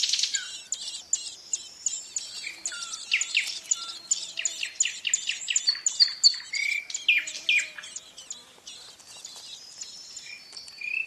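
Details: Young ouzel chirping in its nest while parents care for it: a long, fast run of shrill, high squeaky chirps and short slurred notes that gradually thins out toward the end.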